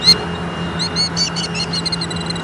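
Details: Angry killdeer recorded 25 June 2014, 8:43, at Leach Park in Bettendorf, Iowa: a quick string of about a dozen sharp, high, slightly descending calls, with a low steady hum of traffic beneath.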